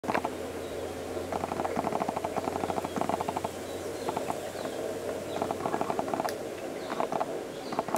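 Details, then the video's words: Grey Nightjar (Caprimulgus jotaka) giving bursts of rapid, hollow knocking notes, several series in quick succession, over a steady hiss and low hum. "Grey Nightjar(Caprimulgus jotaka)"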